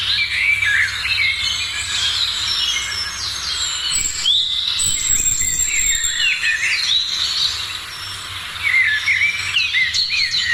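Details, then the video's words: Dense dawn chorus of many birds in the morning, overlapping high twitters, whistles and warbled phrases filling the whole stretch, with a soft low hum beneath. "#Morning sounds of birds#"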